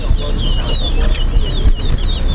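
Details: Chestnut-bellied seed finch (towa towa) singing in a bird-song race at Lusignan bird ground, Guyana. It gives thin, high, quickly warbled phrases over a loud crowd murmur while a man counts its songs aloud nearby.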